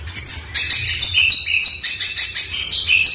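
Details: Oriental magpie-robin song to prompt a silent bird to sing: a quick series of very high, sharp notes, each dropping in pitch, repeated about every half second.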